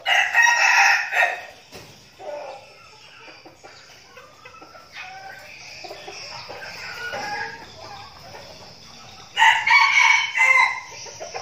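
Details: Training flock of decoy red junglefowl, Bình Phước, Vietnam: a harsh crow opens, followed by several seconds of low clucks, scuffling and distant calls, then another loud crow near the end.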